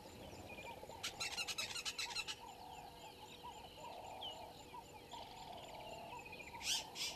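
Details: Woodland kingfisher in a tree by the dam wall at Gowrie dam, Djuma Game Reserve, Sabi Sand, South Africa, at 07:56 on 01/03/22, giving a loud, fast rattling trill over soft bird twittering and insect hum.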